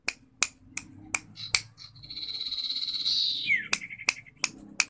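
Common iora giving a long, high drawn-out note that slides down into a clear falling whistle, among sharp, dry clicks repeated about three times a second.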